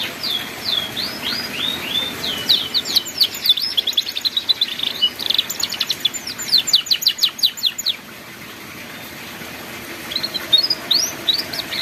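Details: Master recording of canary song in ngeriwik style for teaching young birds: looping down-slurred whistles lead into fast high trills and rattling bursts, a brief pause, then renewed rising sweeps.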